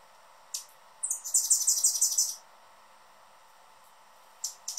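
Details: A male Anna's hummingbird guards his favorite feeder perch and calls noisily. A dense one-second burst of very high, scratchy chips runs together. Short single high chips come before and after it over a quiet background.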